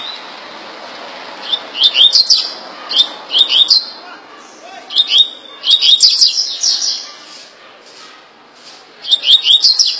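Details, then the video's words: Double-collared seedeater, rendered in the 'tui tui rapido' song style, from Rio de Janeiro: bright high phrases of two or three quick rising notes, repeated in short bursts every second or so, over faint background hiss. "Coleiro tui tui rapido de bico rj"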